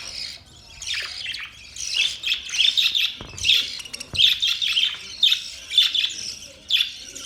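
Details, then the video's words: Several budgerigars chirping together: continuous warbling chatter of high scratchy notes and short squeaks, overlapping without pause. "Budgies birds chirping sounds"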